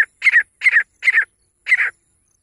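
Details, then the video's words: Female grey francolin calling: four harsh double-noted calls, each a quick paired burst around a grating midrange pitch, spaced roughly every half second with a short pause before the last; no other sounds. "Best female teetar ki awaaz grey francolin voice"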